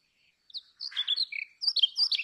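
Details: Brown rock chat producing hurried, scratchy chirps and short whistled notes in two clustered bursts after a moment of quiet.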